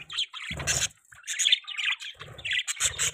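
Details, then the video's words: Young budgerigars chirping: quick bursts of scratchy, warbled high chirps, several overlapping, separated by brief pauses, with short low rustling thumps under some bursts. "Budgies chirping sound|Budgie bird sounds"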